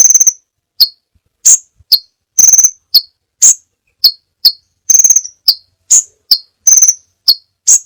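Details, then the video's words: Varied crimson sunbird song used as a tutor recording: a steady string of piercing high chips and quick buzzy trills, roughly two per second, with nothing else audible. "masteran burung sepah raja banyak variasi ( suara audio kicau burung )"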